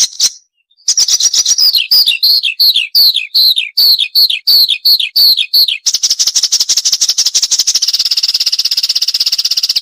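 A high, sweet song of quick down-slurred whistles, about three per second, breaking into a fast, even, buzzy trill.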